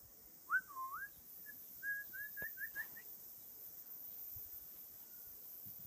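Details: North Island kōkako (Callaeas wilsoni) song: a rich, mellow, looping whistle, then a short string of clear, slightly rising flute-like notes, over a steady background hiss.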